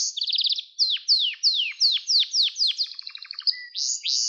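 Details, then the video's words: Gloster canary song meant for training and stimulating young canaries to sing: a fast trill of high notes, then a series of downward-sweeping whistles about every third of a second, a buzzy rattle and bright high notes. "Gloster Kanarya Sesi Ve Ötüşü | Kanarya Huylandırma Ve Kızıştırma Ötüş Eğitimi"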